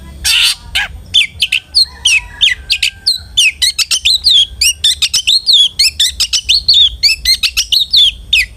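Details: Long-tailed shrike singing in a lure recording: an opening harsh rasp followed by a long, fast series of bright upward-sweeping whistles and chips, repeated rhythmically with little pause.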